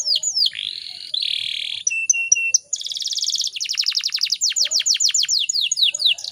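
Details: Atlantic canary, a female whose calls provoke males to sing: a slurred note, a long buzzy phrase, short level whistles, then a dense buzzy trill turning into repeated sharp downslurred notes.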